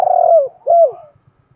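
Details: Spotted dove coo for stimulating wild-caught birds: a long burry falling coo followed by a shorter smooth falling note, with faint low ticking behind.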